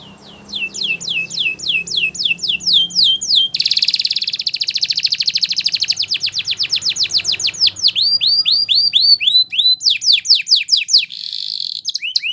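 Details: Belgian canary song used for training, made of quick repeated descending whistles, a long buzzy rolling trill, and bursts of ringing chirps several per second, with a faint low hum beneath.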